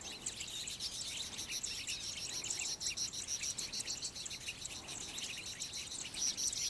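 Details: Citron-headed yellow finches in flocks at Yavi, Jujuy, Argentina, May 2015, feeding and courting; a shrill, busy chorus of quick overlapping chips and trills continues without pause.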